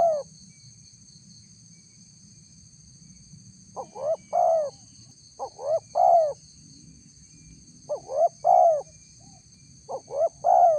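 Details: Spotted dove lure call, described as a female calling a male, used to draw a response from wild doves: four mellow three-note coo phrases, two short rising notes then a longer falling one, over a thin steady high whine.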